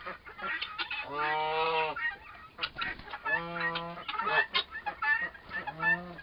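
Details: Young turkey toms, both about four months old, fighting at length: several drawn-out, nasal, tonal calls lasting about a second, mixed with rough chattering notes.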